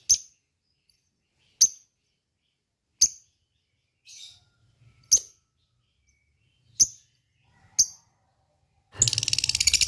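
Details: Lovebird calls used as a lure to make other lovebirds call back: single shrill, high chirps spaced about a second or more apart, ending in a loud, raspy, rapid chattering burst.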